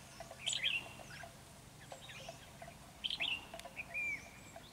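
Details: Wild red-whiskered bulbul, Ché type, challenging a decoy bird at a trap in Vietnam: two quick liquid warbles about two and a half seconds apart, one ending in a slurred whistle.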